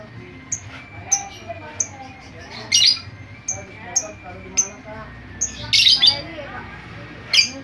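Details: Chattering lovebird whose sounds serve to draw in other lovebirds: short, piercing chirps repeated at uneven intervals, some doubled into harsh bursts, over faint twittering and a low background hum.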